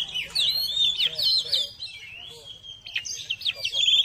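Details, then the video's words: Kacer, or Oriental magpie-robin, singing. The recording is offered as therapy to make cold birds excited, chatter and fan their tails. A fast run of varied whistles and chips, then a long falling whistle and sharp high notes. "TERAPI KACER CEPAT NAIK EMOSI"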